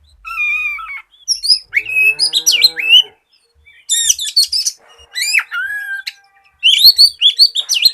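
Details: Energetic white-rumped shama song meant to prompt other shamas to sing, with clear whistled notes, twisting slurs and rapid chattering bursts delivered in phrases of one to two seconds with brief gaps.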